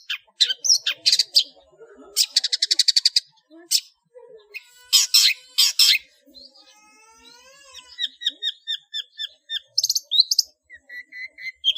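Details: Long-tailed shrike singing a loud, full 'ngeplong' song packed with imitated phrases, kept as a master for training cage birds. Rapid buzzy rattles and trills alternate with clear whistled notes and a series of short repeated chirps. Background is quiet.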